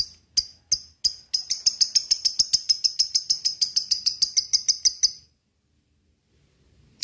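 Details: Lovebird sound played to stir lovebirds into singing: a rapid run of sharp, high chirps, about three to four per second, lasting some five seconds, then silence before one last chirp.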